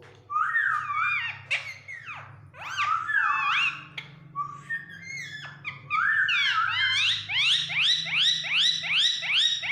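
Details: A pet talking Indian ringneck parakeet, saying "Mian Mithu" in Urdu/Hindi, chatters in high, nasal, speech-like phrases of rising and falling whistled syllables, quickening into a run of rapid repeated notes near the end.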